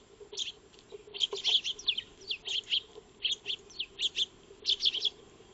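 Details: Eurasian tree sparrows, or maya birds, feeding in a backyard before a motion-triggered wildlife camera, giving rapid clipped chirps in small clusters with brief pauses, several birds overlapping.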